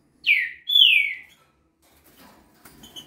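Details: A young green-winged saltator, a fast singer said to deliver 21 songs a minute, gives a loud whistled phrase: a short high note, then a long clear whistle sliding downward, followed by faint rustling.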